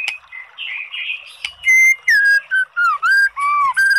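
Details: White-rumped shama song used as a lure to provoke a sluggish, unaroused bird into singing back. Soft warbled twittering gives way to loud, clear whistled notes in short separate bursts, some sliding down, others rising and falling, rich in overtones.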